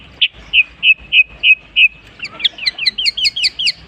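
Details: Long-tailed shrike singing and copying other birds' calls: six evenly spaced clear high notes, then a quicker run of twisting, rising and falling chirps that climbs higher in pitch.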